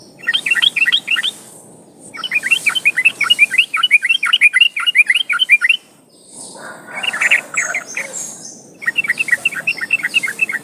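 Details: Yellow-vented bulbul song, played as a lure to make trucukan sing: bursts of bubbly, quick chattering notes in phrases of about two seconds, separated by short pauses, with a faint hiss underneath.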